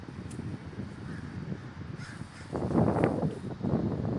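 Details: Large gathering of crows in Davis, California, a constant din of rough overlapping caws that grows suddenly louder and closer midway, with low-frequency rumble beneath.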